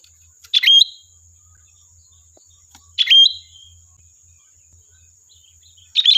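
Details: Lure recording of a vigorously singing sooty-headed bulbul, meant to provoke answering birds: short liquid, fluty phrases repeated roughly every two and a half seconds, each a quick rising-falling warble, with a constant thin electronic whine behind.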